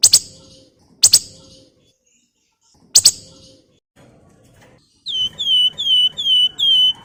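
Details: Javan fulvetta singing, used as a lure and tutor for other birds: three harsh, sharp double-burst calls a second or two apart, then a quick run of five pure whistled notes, each slurring downward.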